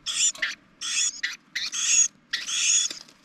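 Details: Spring Carolina wren family at a nest built on a propane tank, filmed from inside while the mother feeds the little ones; long buzzy, noisy rasps, four main bursts in three seconds with short gaps, over a soft background hum.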